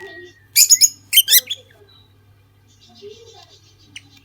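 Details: Lutino lovebird pair giving two quick clusters of sharp, shrill, buzzy chirps close together, followed by near quiet with soft faint twitters and a steady low hum.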